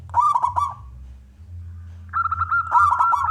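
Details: Local wild-type zebra dove, a frequent singer with a big voice, used to lure and provoke other doves into singing: bubbly, rapidly pulsed cooing phrases. Two bursts are split by a pause of about one second, over low steady hum.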